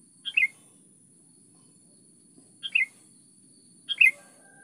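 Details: Sooty-headed bulbul giving short bright two-note whistles, repeated roughly every one and a half seconds, against a faint low rumble.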